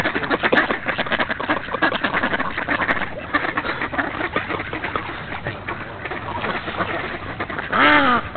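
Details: Many ducks crowding together while being fed, quacking in a continuous, raucous jumble of harsh nasal calls; near the end one loud, drawn-out quack with falling tone rises above the flock.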